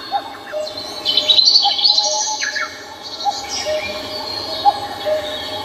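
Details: Mixed birdsong from Namsan Mountain in Seoul: quick high chirps and trills clustered early, then sparse short notes repeated at irregular intervals against a hissing background.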